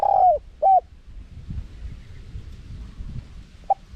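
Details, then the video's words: Spotted dove in the wild-style 'karam pa' singing style with a small voice, with 'khat' and 'nun' phrasing and a 'khu ang' ending, used as a decoy to lure wild doves: two mellow, level hooting coos, then a short faint coo after a pause. "เสียงนกเขาใหญ่ คารมป่า (เสียงเล็ก) มีขัด มีหนุน คูอ่าง ใช้สำหรับเปิดต่อ ยั่วนกป่าเข้าร่วมเร็ว"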